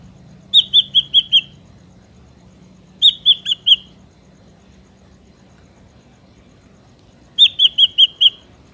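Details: Ashy drongo song played as a trapping lure: three short bursts of four to five quick, high whistled notes each, separated by long pauses.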